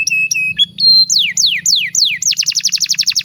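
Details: Canary master song for teaching young birds: clear steady whistled notes, then loud descending swooping notes, breaking into a rapid repeated trill; faint low hum underneath.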